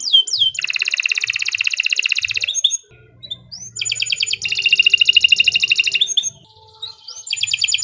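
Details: Canary used as a master singer: long rapid buzzy trills lasting about two seconds each, separated by short pauses and rising whistled notes.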